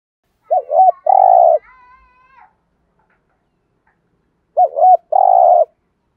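Spotted dove giving two low, mellow cooing phrases about four seconds apart, each two quick notes and a longer drawn-out coo; a faint thin whistle follows the first.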